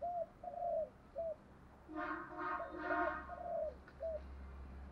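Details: Spotted dove decoy cooing, male and female calls meant to lure wild birds closer: low slurred coo notes repeated roughly twice a second, partly masked by a louder harsh, buzzy burst and steady low background hum.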